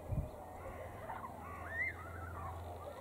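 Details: Several red kites perched in a tree at feeding time at a red kite feeding centre in poor weather give thin, mewing whistles that rise then fall, one clearer near the end, over a steady low rumble.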